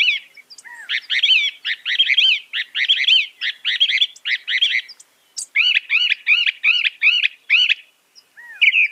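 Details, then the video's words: Northern mockingbird delivering long series of repeated phrases: a stretch of rapid, jumbled buzzy notes, then a steady run of nine identical arched whistles, closing on a new note. "Masteran Burung Kicau Mockingbird Gacor - Mockingbird Bird Sound"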